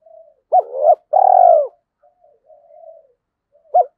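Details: Spotted dove decoy, 'giọng thổ' style, cooing to lure other doves: one complete phrase of a hooked note, a swelling coo, and a long falling coo. Soft low warbles follow, then the start of a new phrase.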